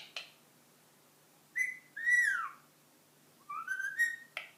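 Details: A 10-month-old pet ring-necked parakeet learning to whistle the Addams Family song: a sharp click, a short whistle and a long falling whistle, a pause, then a rising wavering whistle ending in a click; Portuguese speech precedes it.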